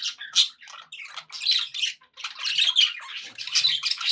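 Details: Happy pet budgerigars chattering indoors: dense, scratchy warbles and squawky chirps in quick bursts, pausing briefly between phrases, all high-pitched with nothing low beneath.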